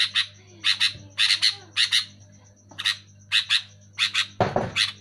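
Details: Loud sooty-headed bulbul giving quick paired and tripled bright chirps, close together, with a brief harsh noise burst near the end and a steady low hum throughout.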